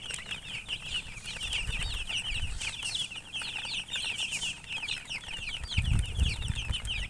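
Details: Chirping colored chickens fill the recording with rapid overlapping high peeps, tiny descending strokes packed closely together, while low thumps and handling bumps sound near the end.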